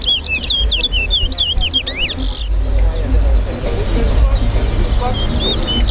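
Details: Towa towa (large-billed seed finch) singing in a bird race competition at Lusignan bird ground, Guyana: quick series of bright whistled notes sweeping up and down for about two seconds, then crowd chatter, vehicle rumble and background noise.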